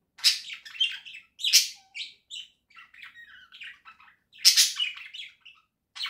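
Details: Pet budgerigar flock, October 2024, in a cage with a small house: busy chattering warble, loud rasping notes at the start and near the end, softer mumbled twitters in the middle.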